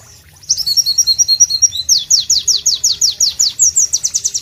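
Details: White-eye (Pleci) song, loud and melodious, in natural tropical sound: begins after a quiet half second with high twittering, then a steady rapid series of descending whistles.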